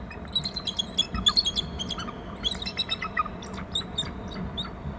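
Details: A pair of bald eagles call around their nest territory on Hornby Island, picked up by a nest camera as one bird leaves. Short, high, piping notes tumble in quick chattering runs, with a constant low hum behind them.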